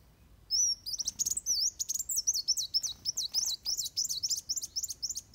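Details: Van Hasselt's sunbird in fighting song, recorded as training material for birds: a fast, continuous run of high zigzagging chirps and twitters lasting nearly five seconds, sharp clicks near the start.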